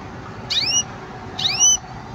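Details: Green canary giving two clear, rising whistled call notes with bright overtones, about a second apart, over a faint steady hum.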